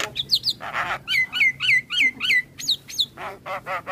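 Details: Javan myna in the morning repeating a downslurred whistled note five times in quick succession, framed by harsh rasps and squeaky chattering notes.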